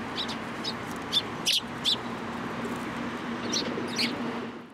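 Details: At a Tenmangu shrine on 22 March 2023, sparrows gathering in a cherry tree chirp in short bright notes, several quick ones early, then a pause and a few more before fading out.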